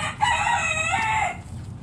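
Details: Rooster from a backyard chicken flock foraging in the morning, one loud harmonic crow held for about a second then dropping away, with low background rumble.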